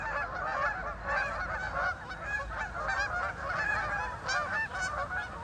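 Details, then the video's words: Ducks on a lake fill the air with steady, crowded honking calls from many birds overlapping, rising and falling in loudness, above a faint low rumble. "Ducks on a lake for relaxing sound"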